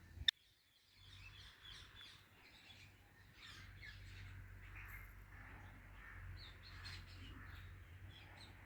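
Ringneck parrot chatter: a steady stream of overlapping high, scratchy chirps and squeaks after a sharp click, over a low constant hum.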